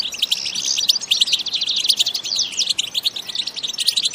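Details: Brief burst of lively batbata singing by a European goldfinch without sound effects: densely packed high chirps, quick rising and falling whistles and rattling trills running continuously.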